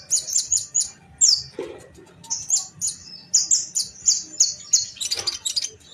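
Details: Sunbird, called kolibri ninja in Indonesia, fighting in a duel: quick runs of high, clipped chirps in steady series, with one harsh lower burst early on and a dense scratchy flurry near the end.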